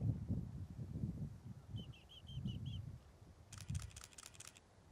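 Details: Young male Desert wheatear in first-winter plumage, sub-singing among boulders and beach on St Agnes, Scilly, 22 March 2015: a brief row of five soft whistled notes at even pitch, then bursts of rapid clicking, over low wind rumble.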